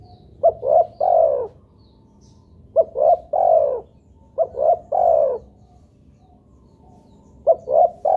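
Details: Spotted dove used as a lure to get other doves calling. Repeated mellow coo phrases: two quick clipped notes followed by a long falling coo, four phrases close together, the last cut short.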